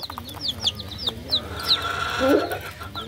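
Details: Cute baby chickens peeping in sharp high downward chirps, spaced a few per second, over a low wavering background sound.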